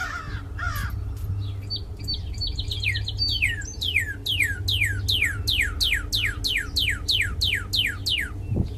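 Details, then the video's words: Northern cardinal song with some short high stuttered notes, then a long run of evenly spaced downslurred whistles dropping steeply in pitch, repeated roughly three times a second over a low rumbling background. "suara burung Red Cardinal"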